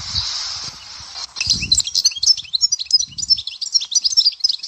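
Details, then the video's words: Souk Ahras European goldfinch, sector Dehwara song: a hissy start gives way to a fast, continuous stream of bright, high twittering notes and short trills, with a few faint low knocks. "تغريد حسون سيكتور الدهوارة"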